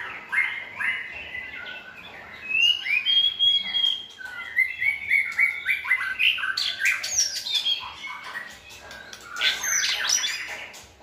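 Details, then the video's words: Tutor white-rumped shamas sing so a selected shama learns a more varied song; long whistled phrases rise and fall, then rapid chattering notes and a loud sweeping finale near the end. "NÀI CHÒE LỬA | Đào tạo THANH cho lửa chuyền"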